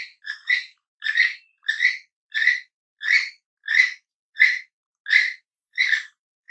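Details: Toucan giving a steady run of hoarse, croaking yelps, roughly three every two seconds, each note rough and slightly rising, evenly spaced throughout with no other sounds.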